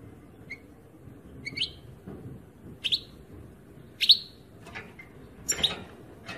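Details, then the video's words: European goldfinch giving short bright chirps, sharp notes at intervals of about a second, some with a downward tail, over a low background hum. "Chant chardonnerent 2018 formidable , belle ecoute"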